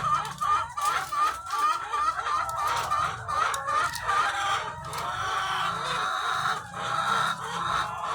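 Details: Egg-laying hens, thousands on one farm, a nearby bird repeating quick wavering cackles at the start amid a loud ongoing chorus of clucking from the flock and a low mechanical hum.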